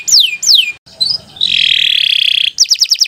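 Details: Canary song for training young birds: two loud descending whistles, a brief gap, a sustained buzzy trill, then quick rapid repeated notes.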